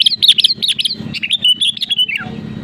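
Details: Sooty-headed bulbul song used to provoke rivals into singing: a quick run of bright, liquid whistled notes ending in a falling slur, over a low steady hum.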